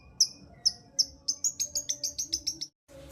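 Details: Long-tailed shrike song to stimulate a lazy bird: high thin whistled notes, first spaced, then quickening into a rapid even series before stopping.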